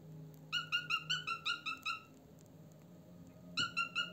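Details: Pet cockatiel indoors giving a quick run of about seven bright, harmonic chirping notes, a pause of more than a second, then three more similar notes, with a low steady hum underneath.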